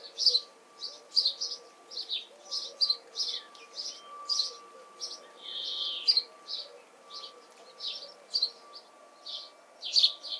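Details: Repeated, lively cheeping from a house sparrow, June 2020, Canon camera: dozens of short high chirps roughly every half second, one longer rasping note near the middle, faint steady hum behind.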